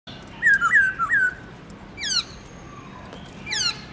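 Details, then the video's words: {'caption': "Caged black-throated laughingthrush singing its varied morning 'forest voice' song, used to spur other birds to sing: a run of three clear looping whistles, then a rapid descending series of sharp, bright notes and a final high cascade."} "Khướu bạc má HÓT GIỌNG RỪNG- LUYẾN NHIỀU ÂM"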